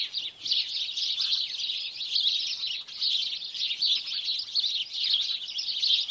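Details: Flock of sparrows, birds known to nest near buildings, chattering continuously: bright, high-pitched cheeps and tweets blend into one dense, unbroken twittering mass.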